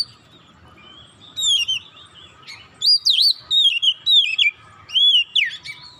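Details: Oriental magpie-robin singing to provoke rival magpie-robins: a soft start followed by repeated loud phrases of looping, wavering whistles about every half second, each with bright overtones, over faint low noise.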